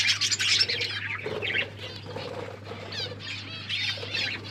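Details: Budgerigars feeding as pets, calling while they eat: bursts of fast warbled chirps alternating with quieter gaps, soft pecking and rustling sounds, and a constant low hum in the background.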